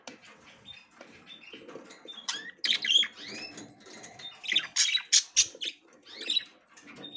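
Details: Female budgerigar trying to enter the nest for the first time, giving a busy run of short high chirps and arching upward-sweeping squeaks, several in quick bursts, with soft rustling underneath.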